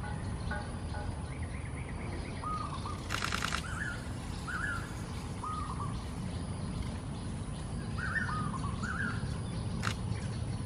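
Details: A flock of wild golden-backed weavers calling raucously while nest building early in the morning over a pond in Singapore: repeated short chattering notes throughout, a burst of sharp camera-like clicks midway, and a low rumbling background.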